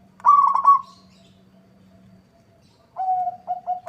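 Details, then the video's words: Local zebra dove (perkutut) singing to answer a rival: a quick trilled warble, a pause, then the start of lower, evenly pitched cooing notes cut off at the end. "Suara perkutut lokal gacor bikin nyaut lawan."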